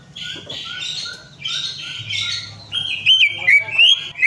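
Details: Quiet buzzy chatter gives way to a run of loud, twisting whistles from a greater green leafbird, played to encourage a bird that has gone silent to start singing.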